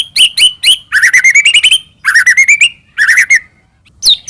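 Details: Loud white-rumped shama song used as a lure to provoke another shama into singing: bursts of rapid, repeated sharp notes climbing in pitch, short pauses between phrases, and a final high whistled slur.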